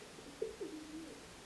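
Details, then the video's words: Pigeons cooing in a chimney, heard indoors: a short throaty note then a longer, drawn-out falling coo, low, soft and muffled. "Pigeons are cooing in the chimney."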